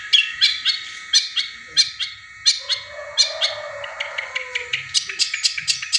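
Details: Caged-bird lure recording of a long-tailed shrike imitating tengkek buto calls: irregular sharp high chips, some doubled, then a quicker chattering run toward the end, with a faint lower murmur in the background.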